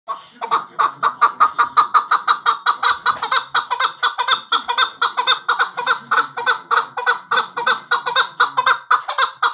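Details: Male chukar partridge calling: a long, steady run of rapid, harsh clucking notes, about four per second, continuing without a break.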